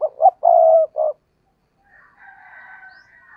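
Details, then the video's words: Spotted dove decoy bird giving an intense, urging coo from its perch: three short low hoarse notes, then a longer drawn-out note, followed by a fainter, higher, wavering tone. "tiếng cu gáy/ chim cu gáy mồi cây thúc gù căng lửa"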